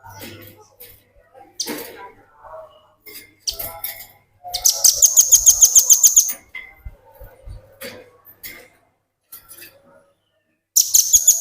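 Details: Velvet-fronted nuthatch song used as a tutor recording for training other birds: a rapid, very high trill of evenly repeated sharp notes lasting about two seconds, surrounded by scattered chips and other short bird notes.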